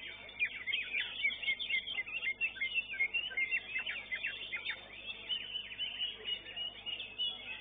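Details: A competition-winning greater green leafbird at a songbird contest pours out a fast, varied stream of high chirps, trills and sharp slurred notes, about four a second, with a faint background murmur.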